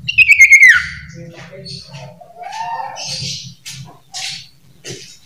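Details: Common iora in varied, chatty song, opening with a quick trilled whistle that falls away, then scattered soft chirps and a rising-falling warble, with a constant low background hum.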